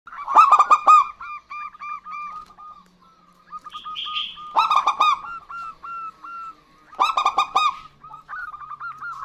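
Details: Local zebra doves, a male and a female answering each other in lively song: bursts of four or five loud, rich cooing notes, each followed by a string of softer, evenly spaced coos; the burst recurs twice.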